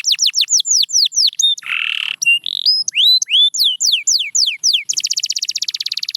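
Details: Canary song for training: quick swooping whistled notes, a brief harsh buzzy burst, more looping whistles, then a fast even trill to the end.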